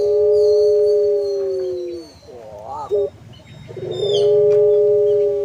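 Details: Ornamental puter pelung collared dove singing with a nodding head: a long, smooth, even coo held about two seconds, a wavering burst of short notes, then another drawn-out sustained coo.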